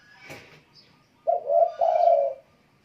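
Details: A vigorously singing spotted dove gives one mellow cooing phrase of a short coo and a longer sustained coo, preceded by a faint rustle and a brief high chirp.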